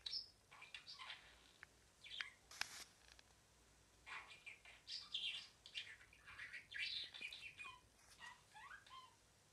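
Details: Pet budgie singing softly over noticeable background hiss: scattered chirps and buzzy warbled phrases, with a few sharp clicks.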